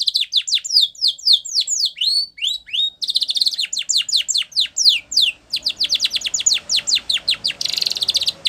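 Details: Canary training song, Spanish Timbrado style: continuous fast downsweeping notes in shifting tempo, some doubled, building to a very rapid rattling series and a buzzy roll at the close.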